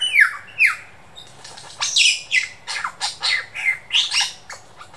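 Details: Superb lyrebird in the Dandenong Ranges Botanic Gardens copying local birds and laser-gun-like sounds: two steep descending whistles, then a quick series of loud zapping downward sweeps and bright bursts.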